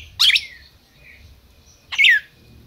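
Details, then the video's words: Captive red-crested cardinal kept by a Brazilian breeder gives two loud, abrupt downslurred chips about two seconds apart, with quiet room noise between. "Cardeal MAQUINA chamando e cantando"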